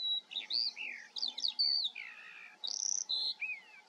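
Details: Eurasian skylark in the Eifel singing a lively jumble of high whistles, downslurred notes, a short rattle and rising chirps, each phrase brief and quickly followed by the next, over a soft hum.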